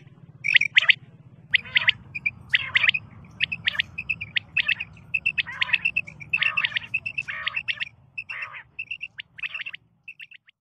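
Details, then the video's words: A female common quail gives short, raspy, rattling notes mixed with thin high chirps, about once a second and unevenly spaced, over a faint low hum. "Batair karkaree//batair madi ki awaz//femail quail sound"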